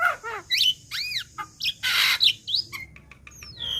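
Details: Juvenile black-winged myna in training material: arched whistles in quick succession, a loud harsh rasping burst, short chips, and drawn-out falling whistled notes at the end.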